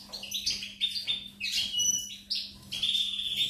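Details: Rapid, tinkling European goldfinch song from a 4 May 2019 recording. Busy chains of high chirps and trills come in four or five clustered bursts, some notes buzzy, others clear and sliding, with a constant low electrical hum beneath.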